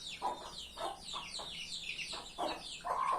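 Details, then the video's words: Farm chickens: short bursts of low clucking repeated about every half second, under a continuous layer of high, thin, downslurred peeps. "Hen sound effect"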